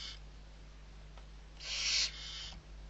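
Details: Barn owl owlets, six of them, being fed at Riet Vell reserve in the Ebro delta, Spain, on 21 November 2023; one harsh, breathy hiss lasting half a second, trailing into a softer second hiss.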